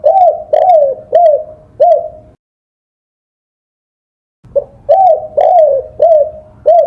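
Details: Spotted dove coos for training songbirds: four mellow, bowed notes in a steady rhythm, a silent gap of about two seconds, then five more coos in the same pattern.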